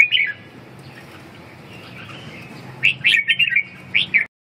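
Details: A red-whiskered bulbul gives one short chirp, then falls silent for over two seconds before a lively run of quick, liquid, warbling notes that ends with two emphatic chirps. A faint low hum runs underneath.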